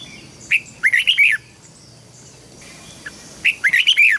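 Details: A caged red-whiskered bulbul sings for young birds to learn its song: two brief bubbling phrases of quick, liquid warbled notes, about three seconds apart.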